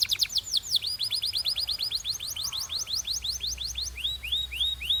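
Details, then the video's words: Training song of a canary: quick downslurred chirps in a fast series that slow and change into looping upward-curved whistles, repeated at an even pace. "DO THIS and your BELGIAN CANARY will SING A LOT!"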